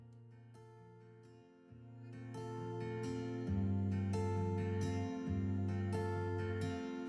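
Plucked acoustic guitar music with steady strummed chords that grow louder after the second second; no animal voice can be heard.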